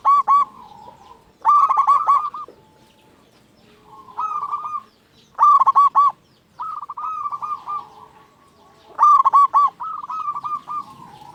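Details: Energetic local zebra dove song meant to provoke other zebra doves to sing: repeated loud bursts of fast, bubbling cooing notes alternating with gentler rolling phrases, several phrases spread over the recording.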